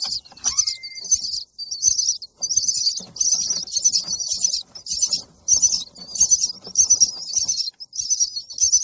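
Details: Baby bird chirping for food: high, dense chirping bursts repeated about every half second to second, with short pauses between bursts.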